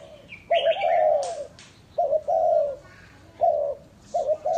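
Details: Spotted dove kept as a lure bird in Ba Vi, Hanoi, Vietnam, uttering three drawn-out coo phrases, each a short double note then a longer falling coo, with a brief chirp at the start.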